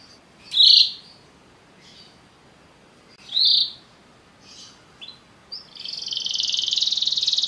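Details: Belgian canary singing: two separate high, brief chirps a few seconds apart, a couple of faint notes, then a sustained buzzy high trill rising into the final seconds.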